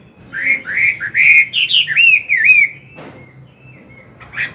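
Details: Chinese hwamei, an adult wild-caught bird, singing in the morning to train a young one: a three-second run of warbling, looping whistles, then quiet with faint distant notes.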